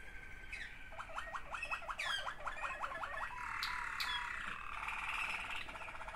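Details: Two sibling Waterslager canaries deliver a run of quick rhythmic down-slurred notes, then a buzzy, water-like rolling trill that continues to the end.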